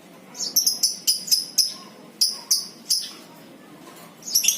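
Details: Lovebird, kept as a ngekek lure, giving a quick run of thin, very high, clipped chirps in two clusters, then a short rising scratchy flurry at the end.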